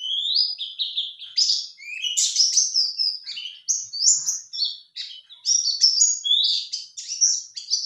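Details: Male white-eye song used as a lure to make other males answer: a rapid, continuous, high-pitched warble of thin, sweet slurred notes jumping up and down without pause.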